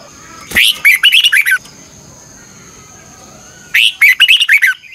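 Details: Red-whiskered bulbul, morning singing for training, 'chè căng lửa' double-twist voice: two loud phrases of rapid, sharp, rolling notes, each near a second long, with a quiet stretch between.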